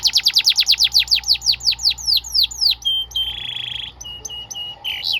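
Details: Domestic canary song used as a tutor recording to train young canaries: a fast series of about fifteen high descending whistled sweeps, then a short trill, a sustained buzzy roll, and brief sharp notes at the end.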